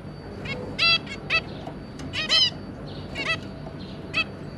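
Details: Adult zebra finch pair and three juveniles on 2 August 2022: loud, stacked nasal honks given singly or in quick doubled bursts, with softer beeps between and a steady low hum behind.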